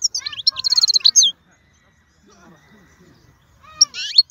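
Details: Strong-voiced wild-type European goldfinch delivering a rapid tinkling twitter with a short buzzy trill, followed by near silence and faint murmurs, then a brief final chirp.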